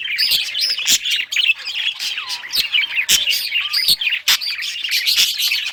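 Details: Several budgerigars of rare colours chirping while playing with toys, recorded June 18, 2023; dense overlapping high chatter with short rising whistles and sharp clicks throughout.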